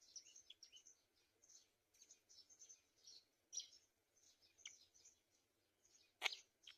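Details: Black-winged kite at the nest feeding its young; rapid run of high squeaky chirps, irregular, with a few sharper clicks and one loud sharp note near the end.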